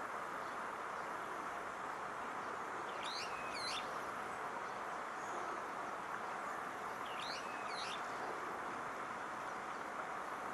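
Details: A brown-eared bulbul in Odawara, Kanagawa, Japan, on 21 June 2014, gives two loud, shrill, squealing bursts of paired notes about four seconds apart, over a steady hiss of traffic-like background noise.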